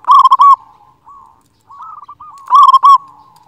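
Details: Zebra dove of local type, singing loudly and often, a recording meant to coax silent doves into song: two loud bursts of fast, rolling, clipped coos, three seconds apart, linked by faint trilling coo runs.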